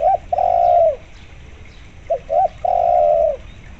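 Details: Spotted dove calling strongly, used with local zebra dove sounds as a lure to make zebra doves answer: two phrases, each a brief note or two followed by a long, steady, mellow coo.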